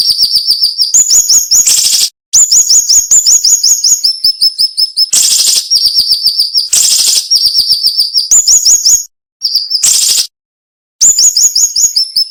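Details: Cinnamon-bellied flowerpecker, locally siri-siri, singing a sharp, dense song with short pauses: fast trains of high, thin rising chirps, about 162 notes a minute, mixed with loud rasping bursts and a few abrupt silences.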